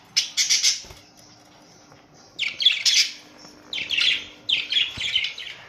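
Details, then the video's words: Australian budgerigars in a colony: raspy, buzzy squawk bursts in four clusters with quiet gaps, harsh and broadband, over a faint electrical hum. "My beautiful Australian budgies parrots colony"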